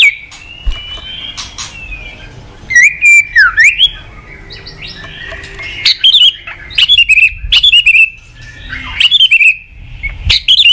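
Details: Caged white-rumped shama singing in the morning as a lure for training cage birds: a soft start, then loud phrases of sharp, wavering whistles repeated about every one and a half seconds.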